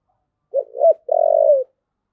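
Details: A single 'thúc gù' phrase from a spotted dove, two quick low hooting notes running into a sustained, even coo lasting about half a second, in otherwise silent surroundings.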